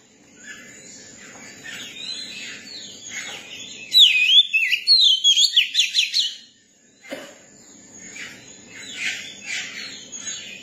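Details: Tame young Oriental magpie-robin singing: a quick, bright run of slurred whistled notes in the middle, bracketed by softer scratchy warbles and brief pauses of near silence.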